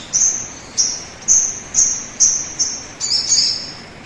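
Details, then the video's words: Sogon calling as a lure so that other birds start singing sooner: sharp, very high notes repeated about every half second, seven in a row, ending in a short jumbled double phrase. "pancingan suara burung sogon agar cepat bunyi"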